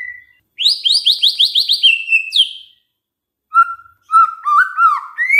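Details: White-rumped shama song used to coax other shamas into song: a fast series of about eight sharp upslurred whistles ending in a swoop, a pause, then lower fluty notes rising at the close.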